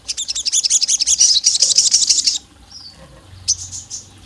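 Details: Olive-backed tailorbird sound likened to a female summoning the male and provoking rivals: a dense two-second train of quick, high, ringing chirps, then quiet with a few faint notes.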